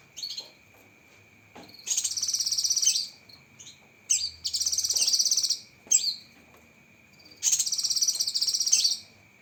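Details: Cucak kinoi song: short whistled notes lead into three bursts of rapid, buzzy high trills, about a second each, with a thin, steady high tone running throughout.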